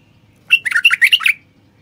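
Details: A male common bulbul delivers one brief phrase of loud, liquid, bouncing whistled notes, about six syllables rising and falling quickly. The song is meant to stimulate silent wild bulbuls to sing and mate.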